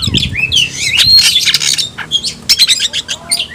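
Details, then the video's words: Oriental magpie-robin in a cage giving 'tayoraky'-style song. Rich sliding whistles run into a rapid series of short, sharp chips near the end. "kacer rasa tayoraky varian baru‼️bikin suara kicau burung Kacer gacor dan ngotot buka ekor"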